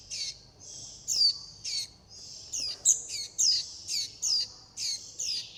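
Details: Nestling warbling white-eyes calling mother and flock and asking for food; rapid runs of high, falling squeaks, several overlapping, repeated in an uneven series.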